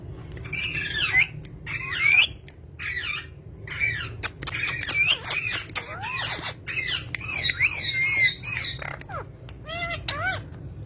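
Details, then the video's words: Green parrots kept as pets chattering nonstop: harsh, buzzy squawks and wavering whistled notes tumble over one another, broken by sharp clicking sounds throughout. "talking parrot"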